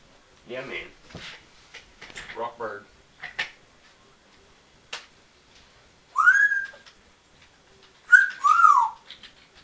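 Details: A Congo African grey parrot, alone in a quiet room after its owner walked out, mutters several short speech-like phrases, then gives two loud whistles, one rising and one dipping, about two seconds apart.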